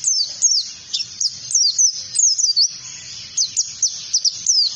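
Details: Trigger song of an oriental white-eye in ngalas style, used to teach other birds. Clusters of piercing, high, falling chirps alternate with short pauses, and short bursts are sometimes run together into quick phrases.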